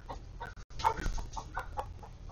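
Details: Backyard chickens of Polish, Golden Comet and Easter Egger breeds heard in their coop through a live camera: close, fairly loud clucks and short nasal notes tumbling one after another, with faint background hum.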